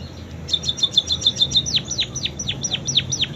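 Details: Munia singing with canary song imitations: a rapid series of short high chirps, about three per second, switching into louder downward-sweeping whistled notes, with a low background hum.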